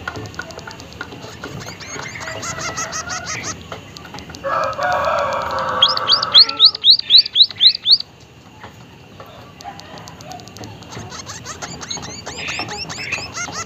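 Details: White-headed munia, a caged bird in Indonesia, singing loudly: a buzzy, harsh passage followed by a run of about eight high, rising-then-falling whistled notes in quick, even succession, then softer scattered chirps.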